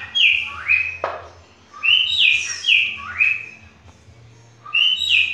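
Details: Green-winged saltator phrases copied by a cockatiel: loud whistled notes falling and rising in short clusters, one sharp click early on, over steady low background noise.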